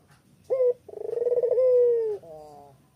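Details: Spotted dove in Kuta, Bali, recorded on an evening walk: one brief, clear opening note, then a drawn-out, throbbing coo that steadies and fades softly, with faint low background noise.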